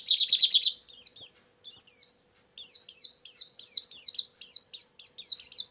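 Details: Lure song of a white-eye, used to draw in birds: a quick buzzy trill, then steady high downslurred chirps repeated about three times a second after a short gap.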